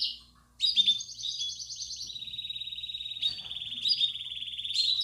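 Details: Song of a Belgian canary, 'campainha' style, played so young canaries learn to sing: after a brief pause, a long continuous rolling trill that drops slightly in pitch and holds steady, with short bright accents.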